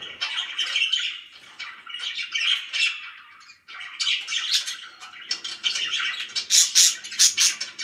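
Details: Happy pet budgies chattering: buzzy, scratchy warbles and squawks pour out in overlapping bursts, pausing briefly midway, then resuming louder with a run of sharp, clicking high notes near the end.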